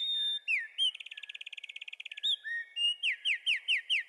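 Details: Singing wren: a hooked note leads into a fast, even rattling trill lasting over a second, then a few varied whistles and a run of five loud, clear, falling notes, crisp and high-pitched.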